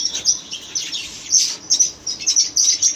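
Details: Short burst of red-rumped parrot chirping, shrill high tweets running together in rapid overlapping notes, slightly squeaky and continuous.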